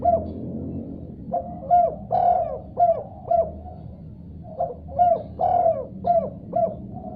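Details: Spotted dove calling in response to another dove: repeated soft, hollow coo notes in two bursts separated by a short gap, each burst several rounded notes in steady succession, over a faint low background hum.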